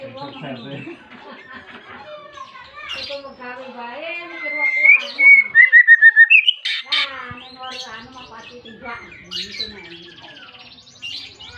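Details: White-rumped shama (murai batu) calling insistently to challenge a rival, a lure to make reluctant shamas sing: dense, harmonic-rich song with mixed chattering and a bright run of about eight quick whistled notes mid-phrase.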